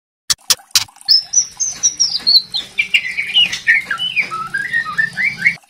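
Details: White-rumped shama lure song in the crackling kretekan variation, meant to draw a young spotted shama into open singing: three sharp clicks, then a long run of clear whistled notes sliding down from high to middle pitch, with a low steady hum beneath.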